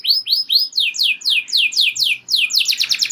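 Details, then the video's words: Canary singing a roll, used to provoke other canaries into singing: slow rising-falling whistled syllables give way to faster downward-sweeping notes, then a rapid buzzy trill, all high-pitched. "Kenari Gacor Ngeroll Joss! Bikin Emosi Kenari Lain Langsung Terpancing Ikut Gacor Nembak Panjang"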